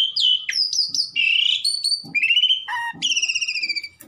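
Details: Black-collared starling singing loudly to provoke a rival: a varied run of high whistled and slurred notes, sharp upslurs and buzzy falling phrases, ending in a rapid trilled series.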